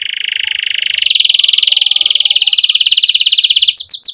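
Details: Canary singing a long continuous roll, meant to prompt young canaries to learn song and to restart silent singers, rising slightly in pitch before breaking into rapid sweeping notes.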